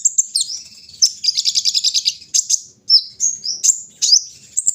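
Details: Outdoors in the morning, a brown-throated sunbird delivers high, sharp chirps, a fast pulsing trill, and then slurred whistles that swoop up and down.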